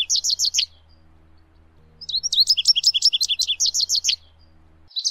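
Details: American goldfinch singing in nature, bursts of quick twittering and sweet slurred notes, about four per second, in two-second phrases separated by a brief pause, with a faint low hum underneath.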